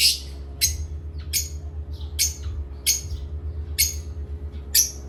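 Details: At playtime, parrots squawk in a steady series of short rasping bursts roughly every half second to second, with soft chirps between them and a low background hum.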